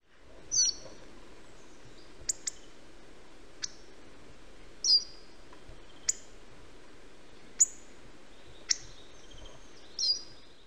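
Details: Hawfinch calling: a series of brief, explosive high clicks and ticks spaced roughly one to one and a half seconds apart, some with a short slurred tail, against low broadband hiss.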